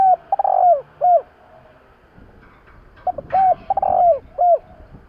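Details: Spotted dove calling to rouse a decoy bird: low hooting coos in two bursts, each a short note, a longer swelling coo and a falling final note, about two seconds apart, over faint background hiss.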